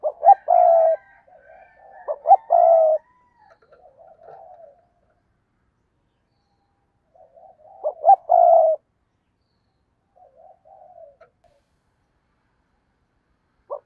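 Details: Spotted dove used as a lure for wild doves. Low cooing phrases with sharp lead-in notes come at the start and again after a long pause, with soft murmurs and silence between them.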